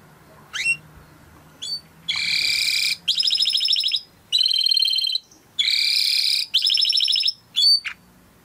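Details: Singing Timbrado canary in a training recording delivers separate blocks of rapid rolling, buzzy trills, each about a second long with short gaps, framed by a few sharp upward-sweeping chirps.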